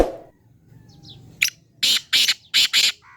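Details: Black francolin calling: a short harsh note, then four loud, grating, buzzy notes in quick succession over about a second, with faint chirps from other birds before.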